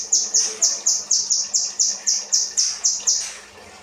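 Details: A kinoi delivering 'rambatan' material for training cage birds: a brisk series of about a dozen bright, high, down-slurred chirps that stops near the end, leaving quiet background.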